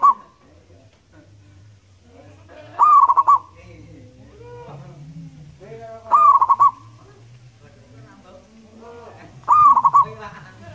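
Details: Active local wild-type zebra dove singing loudly. Three rolling, stuttering coo phrases repeat steadily about every three and a half seconds over a soft low hum.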